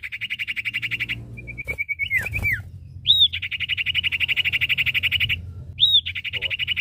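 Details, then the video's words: Common Iora, male and female, deliver long steady buzzy trills broken by a small series of quick notes and a falling slur, each new trill introduced by a loud arching whistle. "Suara Burung cipoh/sirtu jantan dan betina gacor!"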